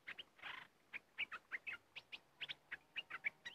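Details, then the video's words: Red-whiskered bulbul singing during decoy luring, its birds called fierce locally: an opening harsh buzzy note, then a run of crisp, evenly spaced chirps and short whistled slurs. "Burung merbah lekir bay hoach thom Gacor Bahanam"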